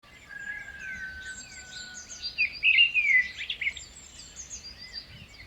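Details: Parrot calling outdoors: a loud, harsh, scratchy burst of rapid chattering notes at mid-clip, rising over a steady background of thin high chirps and twitters from many small birds.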